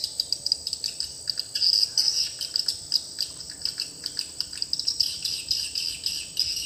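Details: Swiftlet lure sound in a swiftlet house, newly replaced: dense high twittering chatter with quick sharp chirps in uneven bursts, continuous and overlapping throughout.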